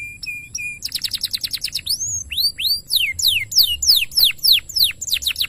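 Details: Canary master song: a few short high whistles, a rapid trill, then a long series of loud swooping downslurred notes repeated about three times per second.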